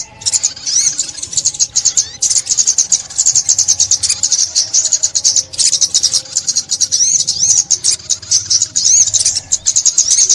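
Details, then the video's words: Long, unbroken run of sunbird song from 2021, used to lure birds into traps: very fast high twittering and trills, with occasional sharp whistled upslurs. "Tiếng Chim Ốc Mít"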